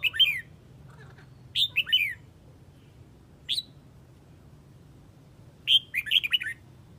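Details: Red-whiskered bulbul of the Huế type calling its flock: short bright whistled phrases of quick rising and falling notes, given in four bursts spaced a few seconds apart over a low steady background hum.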